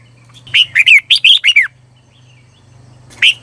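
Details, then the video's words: A red-whiskered bulbul sings as a decoy for wild birds: one quick phrase of about seven bright, down-slurred whistles, then a single note, over a faint low steady hum. "CHÀO MÀO HÓT CHÉ GỌI BỔI CĂNG ĐÉT"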